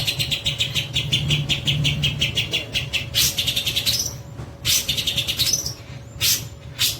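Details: Long-tailed shrike, a captive-bred bird, giving fast rattling series of repeated high notes, then rising whistled slurs and abrupt sharp bursts, with a steady low hum and faint traffic-like rumble behind.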